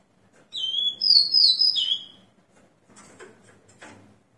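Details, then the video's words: Caged Rufous-collared sparrow at 6 in the morning, 29 September 2021, freshly moulted, gives one clear whistled phrase of high, slurred notes lasting about a second and a half, followed by quiet clicks and taps from the cage. "Tico tico Spider cantando após muda de penas!"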